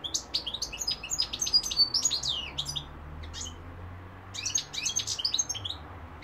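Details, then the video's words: European goldfinch (mqnin) singing two long twittering phrases of fast, high, tinkling notes and buzzy trills, with a faint low hum in the quieter gap between. "goldfinch p throat sign 2021 مقنين الحسون"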